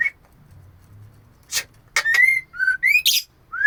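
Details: Female oriental magpie-robin calling to a male, giving loud rising whistles and slurred notes in a quick sequence after a soft low hum, with sharp broadband clicks between notes.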